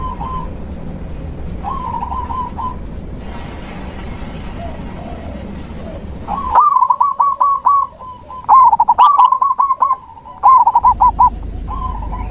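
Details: Zebra dove song as nature therapy for a bird that stopped singing: repeated phrases of rippling staccato coos, distant at first over steady background hiss, then loud and close in rapid succession.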